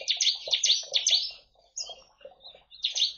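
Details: A captive bar-winged prinia sings in a colony aviary shared with white-eyes and finches, a fast, high, scratchy run of chirps, about two notes a second, with brief pauses between bursts.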